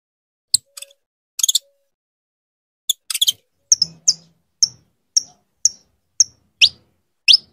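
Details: Female saffron finch calling insistently to stimulate her mate for breeding: a string of short, high, downslurred chips about half a second apart, preceded by a few brief rattling bursts.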